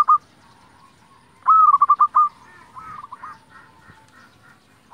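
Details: Vigorous song of a local zebra dove, played to stir other zebra doves to sing. One loud, fast string of clipped coos follows a short note, with fainter similar cooing behind.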